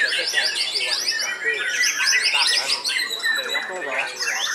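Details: Old caged white-rumped shama, called the oldest still actively singing while hung up: dense, rapid song of whistled sweeps and chattering notes, with sharp upslurs and downslurs running on without pause.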